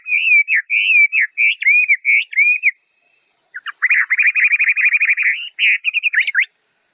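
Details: White-rumped shama training song for young birds: a string of clear, looping whistled notes for nearly three seconds, a short pause, then a fast, buzzy chattering trill of rapid notes ending in sharp high accents; no background noise.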